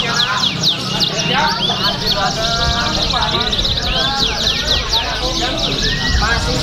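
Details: Canaries competing at a songbird contest in Pringsewu on 29 September 2019 sing continuously in fast, high twittering trills and rapid sweeping notes that overlap densely, with people talking in the background.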